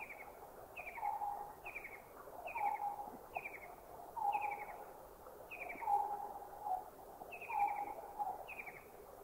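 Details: White-throated kingfisher giving short, high, downslurred notes about once a second, with a lower steady note repeating beneath, perhaps another bird; recorded in Thai national parks (Khao Yai, Doi Inthanon, Doi Suthep-Pui, Chae Son).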